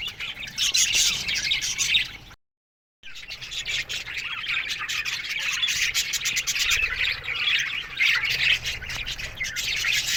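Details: Budgerigars in an aviary chirping in the morning, a dense chorus of high scratchy twitters and squawks from many birds, broken by a short silent cut before resuming.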